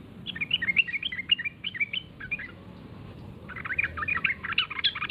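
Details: Yellow-vented bulbul lure call, used to make other bulbuls answer and call: a bubbly, chattering run of short, liquid warbled notes in two bursts, over a low background hum.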